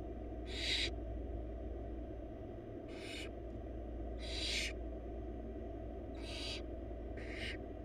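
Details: Four wild barn owl nestlings in a nest box beg as their mother brings a huge rabbit for dinner, giving five short, noisy hissing screeches at uneven intervals, some louder than others, above a continuous low hum.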